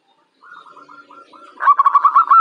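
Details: Young local zebra dove, described as bold and fit for contests, starts with soft broken coos, then breaks into a loud, fast series of pulsed coos.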